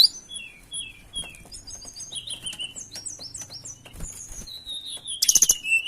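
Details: Tledekan songbird in breeding condition, singing while seeking a rival: thin, high descending whistles and slurred notes in loose sequence, ending in a loud burst of rapid, piercing chirps.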